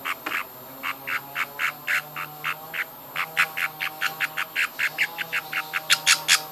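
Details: Young budgerigars call insistently while being fed by hand, a long run of harsh chirping squawks repeated several times a second, growing louder and more crowded toward the end, over a faint electrical hum.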